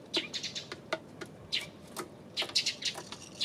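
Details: Eurasian tree sparrow recorded on 28 May, giving scattered short high chirps spread through the clip, with sharp broadband clicks between them.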